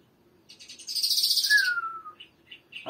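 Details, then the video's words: Short lark phrase of the Iranian Mashadi jal singing type: a buzzy, rattling burst, then a long, clear whistle gliding downward, then two soft chirps. "Mashadi lounda larks irani afghani jal Singing (irani Mashadi Jal) [afghani jal] top jal مشهدي"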